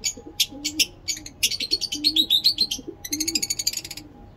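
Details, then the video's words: Captive breeding lovebirds of several mutations chatter in fast, shrill, squeaky bursts, several notes a second, over soft low cooing notes and a faint steady hum. "Lovebirds singing lovebird talking"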